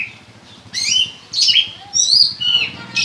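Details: Oriental magpie-robin, a 'salto' somersaulting bird, singing prinia-like notes: short high squeaky phrases at about half-second gaps over a steady low rattling background hum.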